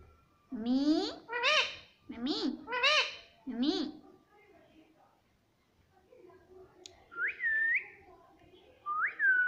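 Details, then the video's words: Pet talking parrot saying "mummy" indoors: five drawn-out, harmonic voiced syllables in quick succession, then a quiet gap and two short rising-and-falling whistles. "मम्मी पापा बोलता मिट्ठू || प्यारा तोता मिट्ठू मम्मी मम्मी बोलेगा || Talking Parrot"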